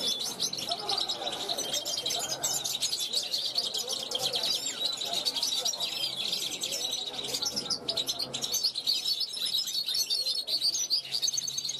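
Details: European goldfinch, a juvenile from 2021, calling toward wild goldfinches passing a balcony; long, fast, continuous high twitter of tinkling and buzzy notes, with faint lower sounds in the background.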